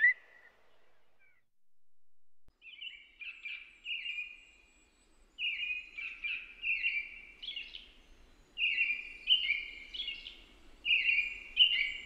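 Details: American robin song, a steady string of fluting, warbled phrases, each slightly different, delivered roughly every second with brief gaps, over faint low background rumble.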